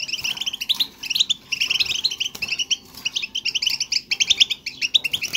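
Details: Stimulation song of a European goldfinch, used to prompt a silent bird to sing: quick chattering phrases of sharp tweets and trills separated by short gaps, lively and repeated.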